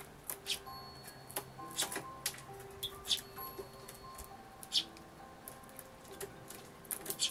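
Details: Young sparrow fledgling, seemingly tired from long chirping while calling its parents and asking for food, its voice weak and hoarse; recorded 6 July 2011. Short high chirps come irregularly, roughly once or twice a second, over faint steady hum.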